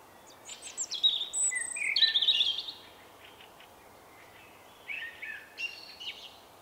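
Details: Shy male Common Blackbird singing in March 2024. A long, high, squeaky twittered passage with thin whistles fills the first three seconds, followed after a pause by quieter scratchy twitters.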